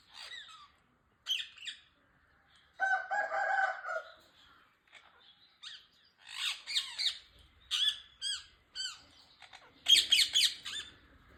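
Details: Rose-ringed parakeet calling: bursts of harsh, grating squawks and shrill screeches, mostly short and clustered, with a louder run of rasping notes near the end and a brief buzzier, banded call early on.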